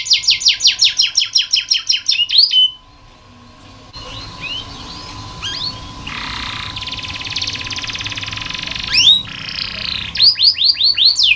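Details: Canary singing on a tutor (masteran) recording meant to coax lazy or young canaries into song: a fast run of sharp repeated chips, a long buzzing rolled trill, then quick downslurred whistled notes, over a faint steady hum.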